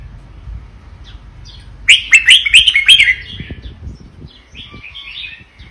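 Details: Vietnamese-strain red-whiskered bulbul in doubled song: a sudden loud run of rapid bubbling, chirpy notes lasting about a second, then quieter fluty warbles trailing off.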